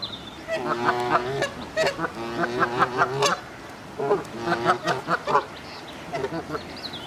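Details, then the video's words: Canada geese in moult on a pond in Midhurst, West Sussex, England, giving bursts of loud, nasal, harmonic honks in rapid runs of three to five, separated by short pauses of quieter background. "Canada geese - Branta canadensis - Kanadagæsir - Í sárum - Gæsakvak"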